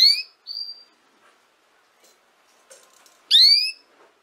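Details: Canary notes for young canaries learning to sing: a rising harmonic swoop and a short whistle at the start, quiet clicks, then a second loud upward-sweeping note.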